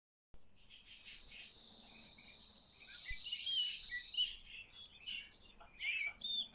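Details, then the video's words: Common starling being trained to talk, giving a busy chattering song of high squeaks and short sliding whistles over a thin steady whistled tone, with bursts of clicks and a sudden knock near the middle. "Обучение скворца разговору"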